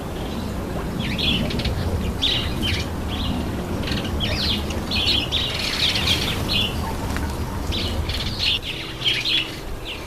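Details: Red-headed finch during a bath, uttering repeated high chirps and squeaky calls across the clip, interrupted by splashes and wing flutters.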